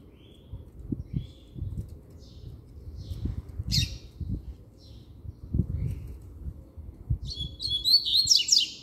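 A double-collared seedeater gives a few thin, high chips, then a fast, buzzy, twittering song phrase near the end, over low thumping background noise.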